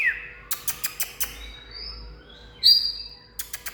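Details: Oriental magpie-robin (Copsychus saularis), song.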